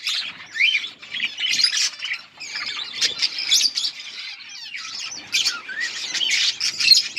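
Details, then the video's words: Several budgerigars chirping together: dense, rapid, high-pitched warbling and squawky chatter in overlapping bursts, with short dips in activity, continuous flock babble throughout. "Budgies parrot beautiful colour budgies chirping sounds"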